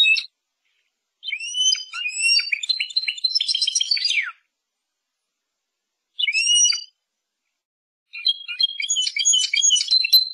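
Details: Persian goldfinch singing a liquid, twittering song: long runs of quick, tinkling and slightly buzzy notes that last two to three seconds, broken by silent pauses and a short burst of chirps.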